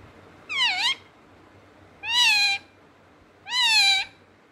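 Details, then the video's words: Pet parrot said to be talking, giving three separate drawn-out, meow-like harmonic calls, each about half a second long and dipping then rising, spaced roughly one and a half seconds apart in a quiet room. "mithu talking"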